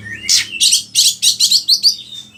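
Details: Gacor oriental magpie-robin, used to teach other birds its song: six or seven loud, buzzy, rasping notes in quick rhythmic series, ending in thin high whistles.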